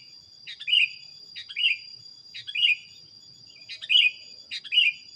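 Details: Five quick bubbly phrases from a sooty-headed bulbul in a training recording, each a clicky lead-in followed by a warbled downward note, repeated roughly every second above a continuous high hum.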